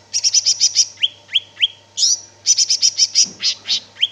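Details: Energetic gacor singing from a greater green leafbird: bursts of quick high chips broken by rising whistled slurs and a loud buzzy note, over a low steady hum.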